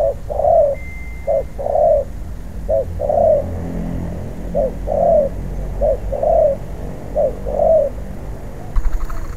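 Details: Wild-caught spotted dove in training as a ground decoy bird, giving soft low coos in short grouped phrases of two or three notes, repeated roughly every second, over a steady low rumble with a brief knock near the end.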